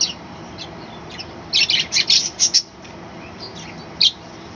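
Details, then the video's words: Morning chattering from a balcony colony of budgerigars, a dense rapid burst of high squawky chirps in the middle, then a lone sharp chirp near the end, over low hiss. "কলোনিতে পাখির ডাকাডাকি এবং চেচামেচির সুন্দর শব্দ"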